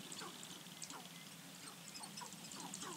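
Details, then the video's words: Several sharp-tailed grouse on a lek on 4 May 2015 in Namekagon Barrens Wildlife Area, Wisconsin, give short, falling cackling notes at once, under a steady crackle of high clicks and rustling. "Sharp-tailed Grouse Lek"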